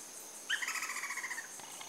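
A Lineated Woodpecker gives a quick run of about a dozen sharp, ringing notes over one second, with a steady high insect hum behind.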